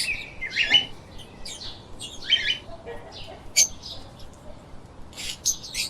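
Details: Lovebirds trade rough squawks and sharp chirps in uneven bursts roughly every second or two, some notes cracking high and thin.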